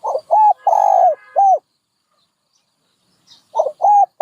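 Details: Soft low coos from a dove: one phrase of a quick hoot, a long wavering coo and a short falling note, then a pause before the next phrase begins.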